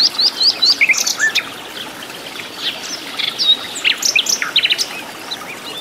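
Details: Lively song of a wild hill blue flycatcher in its original habitat. A burst of crisp rising whistles opens, then after a pause comes a scattered series of high slurred and downswept notes.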